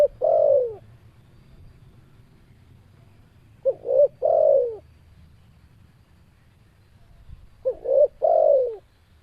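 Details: Spotted dove (tekukur) calling steadily, three coo phrases roughly four seconds apart, each a quick double note then a longer descending coo, mellow and low.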